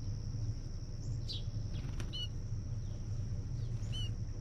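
American goldfinch giving a few short, bright chirps, some doubled, spaced a second or two apart, over a steady low rumble and a thin high insect-like whine.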